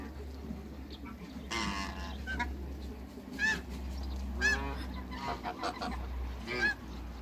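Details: Three African geese greet newcomers on a waterbird farm, giving loud trumpeting honks about once a second with gaps between bursts. Deep rumbling background hum throughout.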